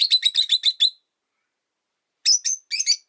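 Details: Rapid stuttering run of about seven harsh, high chirps from pet rosy-faced lovebirds in a cage by a window during winter, then a pause and a few squeakier, rising shrieks.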